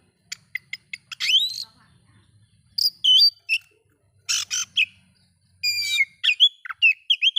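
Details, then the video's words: Oriental magpie-robin song played to provoke other magpie-robins: rapid clicks and short chips, then rising whistles, buzzy bursts and sliding whistled notes in quick varied phrases. "bikin Kacer Lain ikut emosi coba buktikan dengan suara ini"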